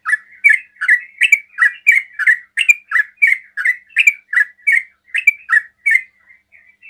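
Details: Sooty-headed bulbul giving its fast 'ropel' song to provoke other bulbuls to answer: about sixteen loud, bubbly slurred notes, each dipping then rising, delivered roughly two per second against a quiet background.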